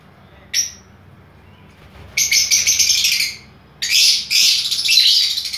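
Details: A single sharp chirp from aviary lovebirds of albino, blue, violet and lutino varieties, then two dense bursts of harsh, rapid chattering, each over a second long, over a low hum.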